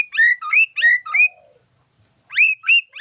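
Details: White-rumped shama song with isian filler phrases: clear, loud whistled phrases repeated in pairs, each a rising then falling note, broken by a short silence.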